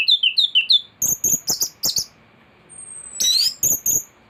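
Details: Thrush in full, lively song, recorded as a master track for tutoring other birds. Quick series of high chirps falls into sharp, repeated clicking notes, then a long thin whistle and a burst of rich warbling.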